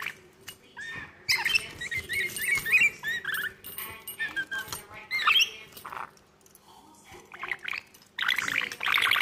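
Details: A lorikeet attacking its own reflection gives bursts of harsh, shrill screeches and chattering squawks, some rising and falling quickly, with clicks and scrapes between them.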